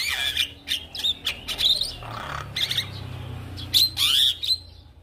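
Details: Javan myna song meant to prompt non-singing mynas to sing: clustered squeaky whistles and harsh chattering notes, a short raspy phrase in the middle, then loud piercing whistled bursts, over a faint low hum.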